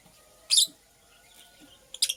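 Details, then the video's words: Female purple lovebird building a nest: two brief, bright, high-pitched chirps about one and a half seconds apart over a quiet background. "Purple Lovebird Chirping Sounds"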